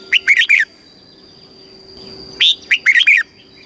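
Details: Thai caged red-whiskered bulbul singing in the southern master style, meant to excite and teach other birds: two loud bursts of four or five fast, liquid whistled notes about two seconds apart, over a low hum.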